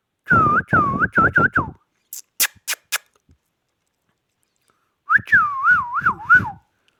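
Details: Pet Indian ringneck parakeet whistling a quick run of wavering notes, a few sharp clicks in the pause, then a longer warbled phrase of rising and falling whistles.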